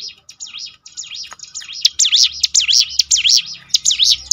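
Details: Lure song of the Bar-winged Prinia (ciblek gunung) for training birds to sing: softer high swooping notes at first, building into a loud, rapid chain of V-shaped whistles, about two each second.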